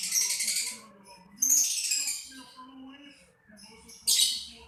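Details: Lovebird with three harsh, noisy screeching bursts, each under a second, separated by quieter gaps with faint low murmuring.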